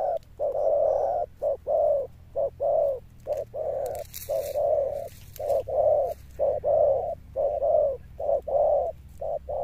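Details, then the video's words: Thunder-voiced cooing of a spotted dove, said to hold its final notes steadily: a long, unbroken series of deep, rounded coos at an even pace of about one per second, with a short rustle midway. "Cọp Đẹp Như Tranh, Gù Âm Sấm_ Nước Tiền Bổi kèm dậm nghe chỉ có phê. Gù Hậu Bền Bỉ."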